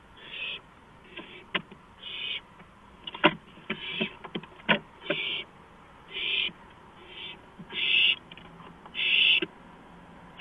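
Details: Owl at night on a porch, April 5, 2015, 2:05 AM: short raspy hisses repeated about once a second, mixed with many sharp clicks and taps.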